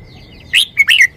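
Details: Red-whiskered bulbul giving a short song: a single quick phrase of a bright rising whistle, then two buzzy, warbled notes. A steady high whine runs underneath, with faint chirping from other birds.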